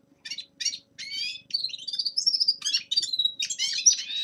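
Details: Winter warm-up singing by a young male common linnet: a few separate chirps start it, then a run of twittering and drawn-out thin whistles, ending in busy trilled phrases over a faint steady hum.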